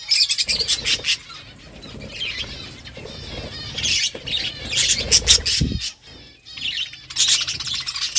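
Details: Budgies chirping as they eat seeds: lively high twitters and warbles alternate with bursts of sharp clicking, over a faint low hum.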